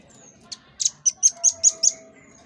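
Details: Velvet-fronted nuthatch, locally rambatan paruh merah, in its characteristic tembakan for masteran training: a thin high whistle, then a quick run of seven sharp notes gaining strength, with a faint steady lower tone underneath.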